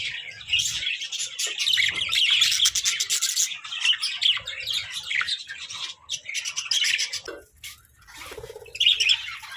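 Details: A flock of colorful budgerigars fills the day with cheerful chirping: busy, overlapping warbles and squeaky chirps, with brief pauses and a short nasal squawk near the end.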